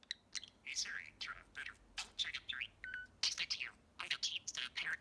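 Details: Budgerigar kept as a pet, a male, talks nonstop one evening: squeaky imitated words and phrases delivered in fast, crackling runs of syllables, with a short pure whistle partway through.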